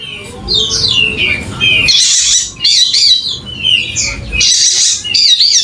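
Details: Wallacean white-eye of the golden-headed form from Sumbawa, West Nusa Tenggara, in full song: quick descending high twittering notes alternating with loud rasping, noisy outbursts, with a low murmur of background noise.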